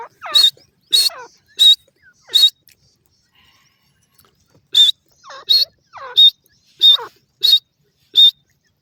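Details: Grey francolin (teetar) giving a loud, shrill repeated call. Four sharp notes come at even intervals, then a silent gap of about two seconds, then six more notes in the same steady rhythm.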